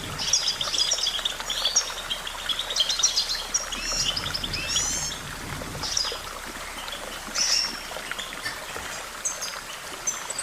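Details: Goldfinch song: rapid, bright twittering of short high chirps and quick slurred trills, with a steady trickling, stream-like background noise throughout.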